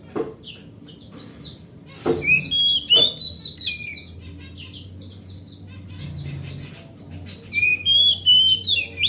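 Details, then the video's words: Forest oriental magpie-robin, large-bodied grade A, sings to provoke a silent pet bird: bursts of loud whistled phrases, quick slurred notes around the upper-middle range, repeated in two bouts with clicks between. "Suara Master Burung Kacer"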